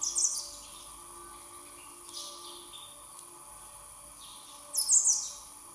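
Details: Hungry young Common blackbird begging, giving two bursts of very high, thin, hissing calls, one at the start and one near the end, with a steady high whine and faint background hum between.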